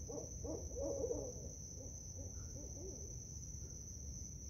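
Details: Several barred owls, about five in a park at night, hoot back and forth in quick, wavering, overlapping phrases, one close by, loudest at the start, with a steady high insect drone throughout.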